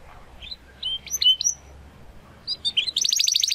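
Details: A young canary, possibly a Spanish Timbrado, still working out its full song, sings short whistled notes and bright chirps, then a fast, metallic rolling trill to close.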